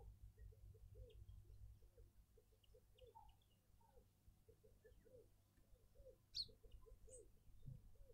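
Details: Burchell's coucal calling in a suburban garden in Pretoria, South Africa: a long, steady series of soft, low, hollow hoots repeated about three times per second throughout, with a few sharp high chirps from other birds and low background hum.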